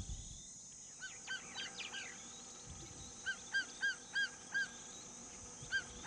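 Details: A female martial eagle calls from her nest in the scorching Kalahari during the mating season, a short series of about eight clear, slurred whistles in quick succession over steady hiss; calling is the pair's usual courtship prelude.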